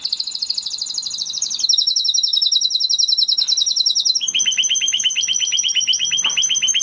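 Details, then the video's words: Spanish Timbrado canary, an original breed, delivering rolling trills: a fast high buzzy roll, then a steady rapid trill, then a lower repeated tour of quick notes. "Canary Sound Effect - Canary Singing Video"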